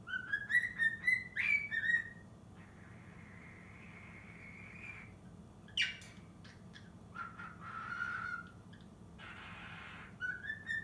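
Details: Six-month-old cockatiel trying the Totoro tune. A quick rising run of whistles opens, then a long stretch of soft hissing noise with a few faint whistles, and a final rising whistle.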